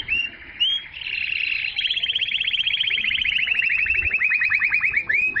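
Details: Canary singing to encourage females to mate and to tutor young birds: brief rising whistles lead into a long, steady, rapid rolling trill lasting several seconds, closing with upswept chirps; no other sounds noticeable.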